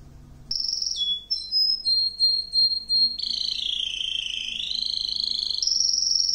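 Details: Song of a male Russian wild green canary: brief chirps, then a sustained pure whistle, followed by a long rich rolling trill that dips lower and rises again before switching to a piercing high tone.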